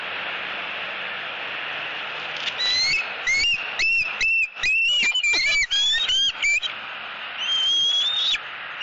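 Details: Eaglet in southwest Florida, 3 April 2018, mantling and squealing at its mother for fish: a rapid run of thin, high, slightly rising squeals, many in a few seconds, then a longer drawn-out squeal, over steady hiss.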